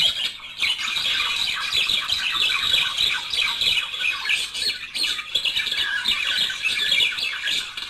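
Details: Budgerigar pair singing to encourage breeding: unbroken, busy warble of chirps, squeaks and grating trills. A brief dip comes just before the first second, and another near the fifth.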